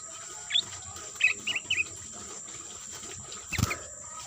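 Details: Sooty-headed bulbul calls used as a lure to attract birds: four short, bright chirping notes spaced over about a second, with a faint note later, over a steady high-pitched whine and a sharp click near the end.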